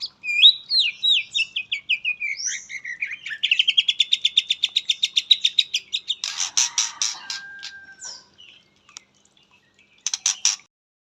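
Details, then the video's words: White-rumped shama, the pastol type, singing with a learned fill-in ('isian katem'). Rapid whistled notes slide into a long, evenly pulsed trill, then harsh buzzy bursts and a short thin whistle, ending with a final buzzy burst. "muray pastol isian katem"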